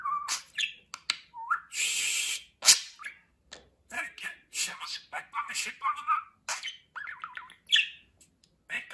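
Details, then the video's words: Talking pet budgerigar: rapid mimicked speech mixed with warbling chirps, whistles and a harsh hissing burst, delivered in quick uneven runs. "Konuşan Muhabbet Kuşu"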